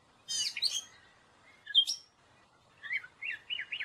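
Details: Gray catbird song with a scratchy burst of notes, a single sharp squeak, then a run of quick slurred warbling notes rising and falling, all high-pitched against a quiet background.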